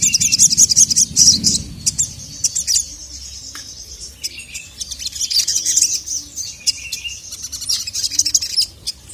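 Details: Agitated sogon calling to a male: thin, very high chirps and twittering trills in bursts, with a brief pause midway before the rapid high notes resume.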